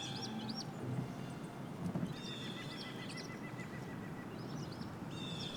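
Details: American tree sparrows, part of a small winter flock in a snowy February blizzard at FWR Dixon Wilderness Area, Southern Ontario, give high, thin chip calls and short tinkling twitters at scattered intervals, over steady wind-like rushing and a low rumble.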